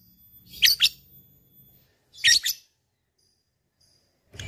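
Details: Lovebird, a fighter bird calling an opponent: two loud, harsh, high double chirps about one and a half seconds apart over a faint low hum, then the start of a third.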